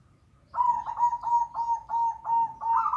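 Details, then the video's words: Local zebra dove song for luring a dove reluctant to sing: after a quiet start, a steady string of about seven mellow, evenly paced coo notes, the last rising slightly. "pancingan perkutut lokal malas bunyi"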